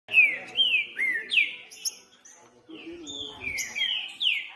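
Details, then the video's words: Green-winged saltator in the bush whose song warms up cold saltators for contests. Clear, downward-sliding whistles are repeated, with a quieter stretch and a faint low murmur in the middle. "ESQUENTAR TRINCA FERRO RÁPIDO COM TRINCA FERRO NO MATO"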